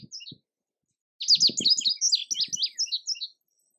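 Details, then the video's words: Indigo bunting sings one lively two-second phrase of rapid, high, sharply slurred whistles, preceded by a brief note fragment and accompanied by faint low thuds. "Indigo Bunting Song"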